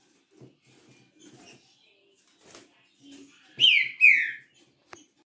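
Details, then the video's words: Green-winged saltator kept in captivity, a 'galador' type, delivers two strong falling whistles in quick succession after soft background murmurs and taps. A sharp click follows. "TRINCA FERRO galador"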